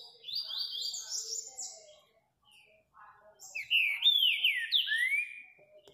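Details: Green-winged saltator song: two clear whistled phrases, the first a series of quick stepped high notes, then after a pause a louder run of slurred notes falling in pitch, ending on a drawn-out downward whistle.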